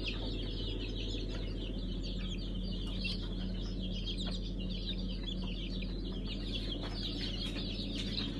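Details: Newly hatched Brahma chicks from a Kurban Bayramı hatch on 5 August 2019, with many high, thin peeps overlapping in a busy chorus over a loud, steady low hum.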